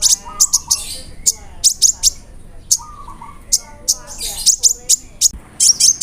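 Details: Konin sunbird singing 'roll nembak' with imitated cricket, cililin and sparrow calls. Sharp high chirps come in quick groups, mixed with lower warbling phrases and brief pauses.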